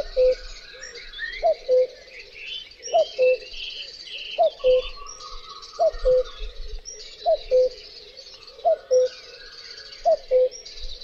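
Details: Long series of common cuckoo (Cuculus canorus) calls: eight clear cu-coo pairs at an even pace of about one every 1.4 seconds. A brief descending first note precedes a flat, lower second note, against continual high twittering and insect-like buzz.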